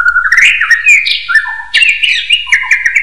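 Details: Common hill myna singing a training phrase for other birds: a continuous, loud, warbling whistle that glides up and down, broken by quick slurred notes and short lower tones.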